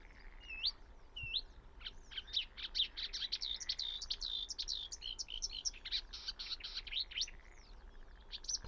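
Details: Marsh warbler (Acrocephalus palustris), one of three hidden deep in a tiny roadside reed patch in summer farmland in early-morning low light, sings a fast, varied, high warble of rapid twittering notes and clear whistled slurs, barely pausing.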